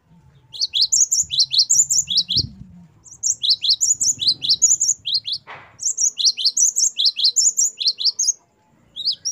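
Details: Great tit, known locally as gelatik batu, in energetic 'gacor wucit' varied song meant for training caged birds: long runs of rapid, high, piercing notes, about two or three each second, broken by brief silences, with a low thump and a rustle.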